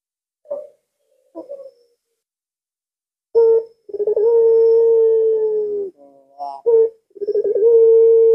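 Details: A puter pelung dove calls at midnight on a Thursday night. Two short scattered notes come first, then the main call: a clipped note, stuttering pulses and a long drawn level coo, with a second call starting at the end.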